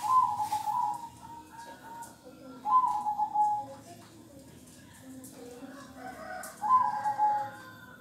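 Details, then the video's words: Kong-style song from a local zebra dove, short trilled coo phrases repeated, with a person talking quietly in the background. "Kumpulan Suara Perkutut Lokal Kong"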